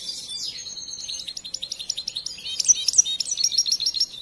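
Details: European goldfinch, a young bird raised from the nest and still in training, singing a fast, high twittering song of tinkling notes and buzzy trills, with bright ringing notes repeated in its second half.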